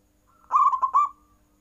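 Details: Zebra dove in captivity, cooing hard to provoke opponents: a brief phrase of three or four tumbling notes closing on a longer held coo, even-pitched and clear.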